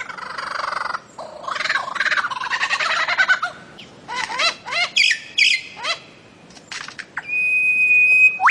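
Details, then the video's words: Bird-of-paradise singing a varied, busy sequence: a harsh buzzy burst, rapid chattering notes, then a series of sharp rising and falling whistles, ending with a long steady high whistled tone. "KICAU MASTER BURUNG CENDRAWASIH"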